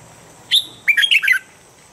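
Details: Daily morning training voice of a red-whiskered bulbul: one clear upslurred note followed by a fast, tumbling phrase of sweet, warbling whistles, all within about a second, with a faint steady high tone behind.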